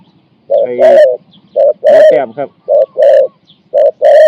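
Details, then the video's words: Spotted dove decoy in Thailand, singing a four-to-five-note coo to draw in wild doves. Low hollow coos in paired short and long notes, one early phrase overlapped by a rougher rasping sound. "ต่อนกเขาใหญ่ กัปตันจูเนียร์ เก็บเชลยคูอ่าง4-5คำ"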